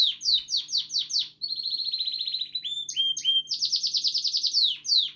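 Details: Male canary singing at home, said to show he is happy and healthy: falling chips, a long buzzy trill, two steady whistled notes, then another rapid rolling trill.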